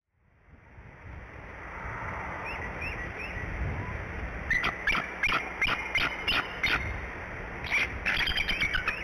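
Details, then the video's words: Bald Eagle mother on the Decorah nest, early morning (06:17, 10 March 2017), gives runs of high, squeaky, staccato chirps calling for a shift change; possibly the father responds, while a Tufted Titmouse calls softly off camera. "Mom calls for a shift change with a possible response from Dad but it is hard to tell for sure as another bird can be heard calling off camera"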